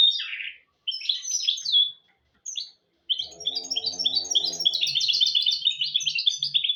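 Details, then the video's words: Mule hybrid of goldfinch and canary: a lower rasping note, scattered high chirps with pauses, then a rapid repeated high trill sequence, accompanied by a soft low humming tone; teaching song for goldfinches and canaries. "تغريد طائر الهجين الميستو حفاضة ودانية لتعليم طيور الحسون والكناري بدون أخطاء"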